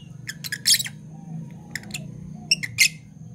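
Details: Fischer's lovebirds, a Parblue violet and a Parblue turquoise kept as pets, in the morning: bursts of two or three rasping, squeaky chirps separated by short pauses, with a soft hum behind.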